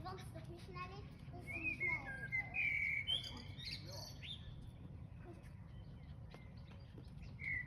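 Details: An unidentified bird at sunset sings a varied run of clear whistles and chirps, some sliding and some held, mostly high-pitched, over a low rumbling background.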